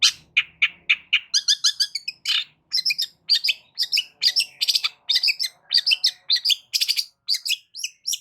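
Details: Varied, loud song of a long-tailed shrike meant to draw a response from silent rival shrikes: scratchy chatters, squeaks and buzzy trills tumble together in quick, irregular bursts.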